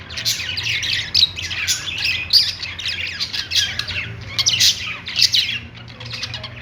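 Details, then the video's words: Budgies chirping on their perch, giving a continuous stream of rapid, rasping twitters and high squeaks in rhythmic clusters. "budgies singing on perch | parakeet chirping sounds"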